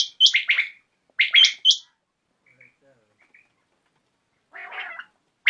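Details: Common quail in the evening giving two quick three-note phrases with bright high accents, then quiet gaps and a brief rougher sound.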